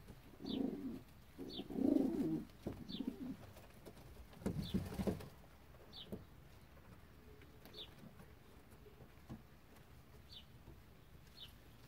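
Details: Young homing pigeons bathing in 2019: low, muffled cooing bursts over the first three seconds, a rushing splash near the fourth second, and thin high chirps repeated at intervals throughout.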